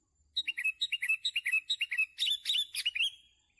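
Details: Sooty-headed bulbul recorded during bird trapping: a quick run of about twenty short, sharp chirps, each sliding down, followed by several buzzier, rougher notes. The background is quiet.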